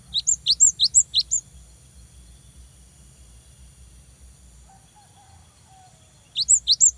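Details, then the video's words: Cinereous tit lure song for provoking a rival: a short run of about five rising-then-high whistled pairs, a long quiet stretch with a faint distant tone, then the phrase resumes. "GELATIK BATU GACOR BIKIN LAWAN EMOSI !!! LANGSUNG NYAUT !!"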